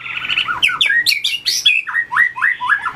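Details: White-rumped shama in contest-style song training: a rapid warbled trill, then sharp rasping notes and a series of clear down-slurred whistles repeated about twice a second, loud and close.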